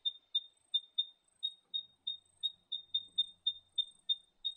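An Eastern Spinebill gives a steady run of high, thin piping notes, about three per second, all on one pitch, against an otherwise quiet background.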